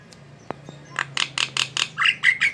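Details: Jalak (starling) in full song: after two soft taps, a quick string of harsh scratchy notes leads into bright, rising whistled phrases.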